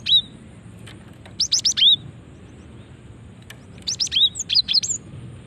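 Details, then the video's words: Female cinereous tit call used to lure: repeated bursts of fast, high chirps mixed with rising slurred whistles, a short note at the start, then two busier runs later, over low hiss. "Ampuh memancing bunyi gelatik batu betina ini"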